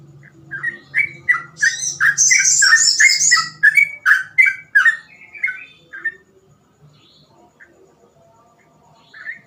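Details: Sooty-headed bulbul, a lively singing bird used as a tutor bird for young bulbuls, gives a quick run of short bubbly whistled notes, about three per second for six seconds, with a high chattering layer early on, then quiet with a low hum.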